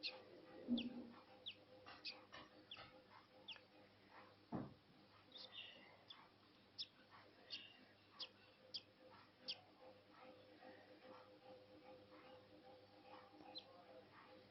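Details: Budgerigar chick hatching, with short, scattered chirps and clicks over a faint steady hum.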